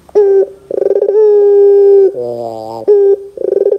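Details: Young-dove lure of a Barbary dove: short coos alternating with rolling trills that open long steady notes, plus a lower, harsher buzzy segment in the middle.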